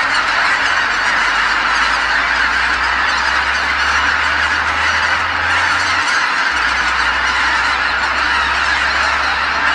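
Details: Tens of thousands of geese flying back to Kabukuri-numa marsh at dusk after feeding, calling together; a continuous, dense honking chorus over a steady low hum that cuts out briefly near six seconds.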